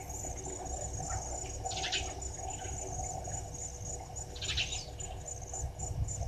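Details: At a waterhole on Djuma Game Reserve in South Africa's Sabi Sand, filmed by a live camera on 26 June 2023 at 16:54, brown-headed parrots give two harsh screeching bursts against constant insect whine and low hum.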